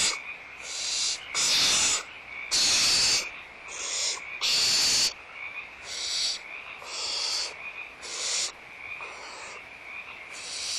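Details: Barn owls calling at feeding time in their nest at Audubon Starr Ranch Sanctuary, morning of 16 March 2011; about a dozen rasping hiss bursts of uneven length and loudness, some overlapping, over a steady faint high tone.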